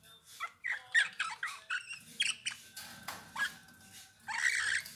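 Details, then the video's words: Song of a Eurasian bullfinch: varied creaky and piping notes, some short rising slurs and a held thin whistle, delivered in uneven bursts with low rumble beneath. "Chant bouvreuil pivoine"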